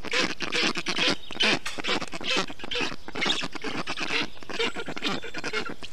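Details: Nestling black storks, Estonia, 20 June 2021, on a hot day as a parent wets the nest with water, moss and grass; dense grating, breathy calls in a fairly regular chorus, slightly more than two per second.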